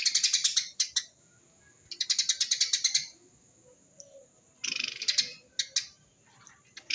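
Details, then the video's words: Eurasian tree sparrow, used as a lure for wild sparrows, chirps in rapid, dense bursts of harsh, high notes, three runs about a second long separated by pauses, with a thin steady whistle between. "Burung gereja tembakan rapet"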